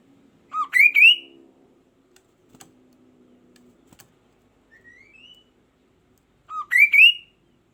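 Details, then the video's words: An energetic kaso-kaso bird sings to stir other birds into song, with two loud bursts of rising, ringing whistles several seconds apart and a lone softer upslurred note between them, over faint clicks and a low hum. "kicauan burung kaso kaso gacor memacing yg lain akan ikut bunyi"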